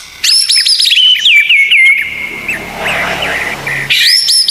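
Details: White-rumped shama tutor song with 'tembakan' fillers: rapid high whistled notes about four per second, dropping into a held whistle and softer warbling, then a fresh burst of sharp upswept notes.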